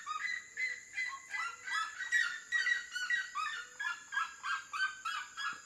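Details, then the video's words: Singing red-legged seriema near water: a fast, continuous series of loud yelping, honk-like notes, roughly two to three per second, rising and falling, with a persistent high hiss behind. "canto da siriema"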